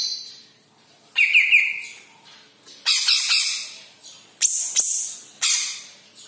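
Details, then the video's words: Yellow-headed cucak ijo (green leafbird) giving a varied song of trilled whistles, harsh scratchy phrases and sharp high squeaky notes with pauses between. "KICAU BURUNG CUCAK IJO KEPALA KUNING"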